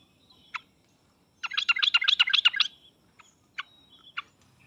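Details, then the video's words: Sooty-headed bulbul song meant to make a reluctant bird reply: a single sharp note, then a quick chattering run of about nine notes, followed by scattered isolated chips. "pancingan dan masteran trucuk paling cepat di sambar trucuk malas/susah bunyi langsung nyaut"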